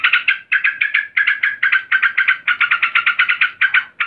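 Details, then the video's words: Agitated female yellow-vented bulbul calling a male, giving a rapid bubbling series of short throaty notes in tight clusters, almost continuous for four seconds with brief gaps between bursts. "Trucukan BETINA NGAMUK GARUDA memanggil JANTAN"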